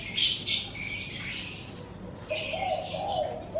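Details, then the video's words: Birds sing in the morning in front of a house: a few high chirps, then thin, sustained high whistles, and near the end a soft low cooing phrase. Quieter than the surrounding chorus. "Suara Kicau Burung"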